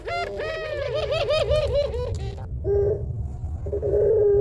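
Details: Barbary dove (puter pelung), an Indonesian long-voiced coo used as a lure, with the two-note kuwok pattern: a wavering, harmonic-rich coo lasting about two seconds, then two steady, low, drawn-out hooting notes. A faint low hum runs underneath.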